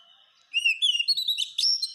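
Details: Oriental magpie-robin (kacer) singing as masteran for caged birds: a rising whistle leads into a fast run of high warbled, chirping notes.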